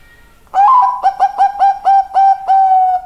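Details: Song of a Bangkok zebra dove: after a short silence, a strong opening coo followed by evenly spaced, mellow repeated notes that grow longer toward the end.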